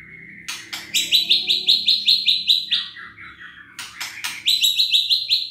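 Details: White-rumped shama singing to goad silent, sluggish birds into song: sharp clicks followed by long rapid trains of repeated high piping notes, with a dropping whistled phrase between, faint low hum beneath.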